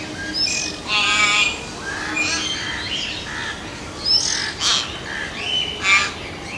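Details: Hill myna in India, a mountain bird, giving loud, harsh, squawking calls in several bursts, mixed with brief whistled notes, against a steady background hiss.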